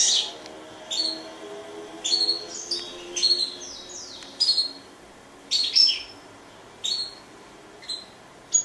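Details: Grey singing finch giving short, sharp high chirps and quick slurred phrases in separate bursts about once a second, with quiet pauses between them.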